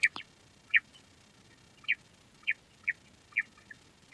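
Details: Quail, described as a queen quail and known locally as lohari, giving short, sharp, bright chip notes spaced irregularly about half a second to a second apart against a quiet background.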